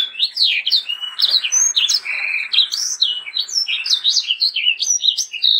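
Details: Energetic sanger song for training young birds: a dense, unbroken stream of fast, high chirps, twitters and slurred whistles, varied and tumbling throughout.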